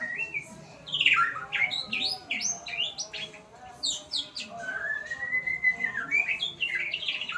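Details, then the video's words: White-rumped shama learning sounds: a varied run of sharp whistled and chattering notes, then a long slurred whistle that rises and falls, with a steady low hum underneath. "Murai pastol belajar Bunyi"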